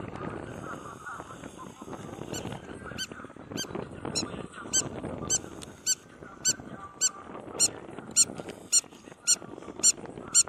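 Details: A Spur-winged lapwing on a resort beach at Marsa Alam, Egypt, gives sharp, high, metallic notes, repeated steadily nearly twice a second, over a low rumble of surf and wind.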